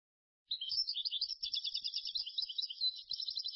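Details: European goldfinch singing where goldfinches are being trapped: a continuous, rapid, high twittering of tinkling notes and liquid trills that runs without a break for about three seconds after a short silence.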